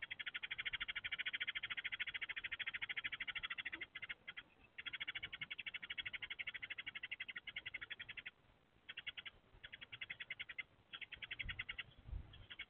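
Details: A male Eurasian tree sparrow at a nest box on 6 April 2024, whose mate has disappeared, chatters a fast, unbroken stream of buzzy chirps at a young rival male searching for a nest site. Brief pauses; soft low rumbles behind.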